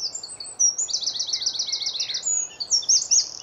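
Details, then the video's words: Early on a spring morning in Hampshire, UK, a Eurasian wren sings from a tree, recorded on a Nikon D500: a shrill, high outpouring with a long, fast rattling trill in the middle and bright twittering notes around it. "Eurasian wren (Troglodytes troglodytes)"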